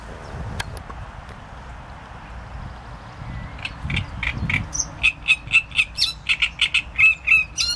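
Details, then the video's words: Quiet start, then a great reed warbler breaks into a fast run of croaking, grating syllables repeated about four times a second. "Trzciniak i jego śpiew"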